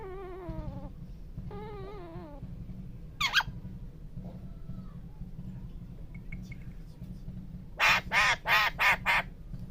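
A parrot makes wavering, nasal, voice-like sounds early on, then a quick run of five loud, speech-like syllables near the end, over a steady low hum.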